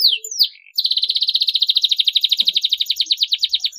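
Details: Song of a canary, meant to coax young canaries into chirping: a few high slurred notes, then a long, even, rapid trill of pulsed buzzy notes, about three per second slowing slightly, in a quiet room.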